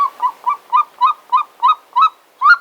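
A Golden Eagle gives a quick run of about nine thin, yelping notes, roughly four per second, climbing slightly in pitch toward the end.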